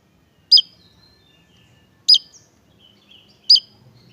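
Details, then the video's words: Javan tesia, a bird now sought as a song tutor for other songbirds; three sharp, high chirped notes with thin trailing whistles, spaced about one and a half seconds apart, over a quiet background. "burung ini mulai di cari untuk Masteran(tesia jawa)"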